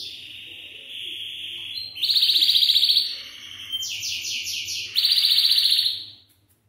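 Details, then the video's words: Belgian canary singing, played to stimulate young canaries to sing; a steady whistled note, then fast buzzy trills in repeated blocks, with pitch stepping up and back down before fading out. "Estimulando meu canário belga a cantar"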